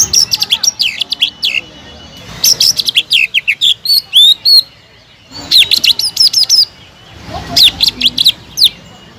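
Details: Caged greater green leafbird singing in lively bursts of sharp, high whistled notes and quick slurred chirps, phrases of about one to two seconds separated by short pauses.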